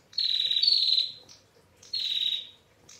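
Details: Clear long ngetir from a female Bar-winged prinia: a sustained buzzy high rattle of about a second, a brief pause, then a second shorter rasping burst, closing with a faint chip.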